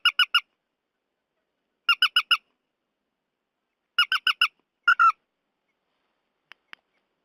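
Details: Night-netting lure of purple swamphen calls: three quick runs of three to four harsh squawking notes, then a longer, rougher two-part squawk, ending with a couple of faint clicks in otherwise silent surroundings.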